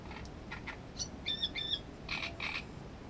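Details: Great reed warbler song mixing grating croaky syllables with piping, ringing notes, then two harsh drawn-out rasps, over a soft noisy background.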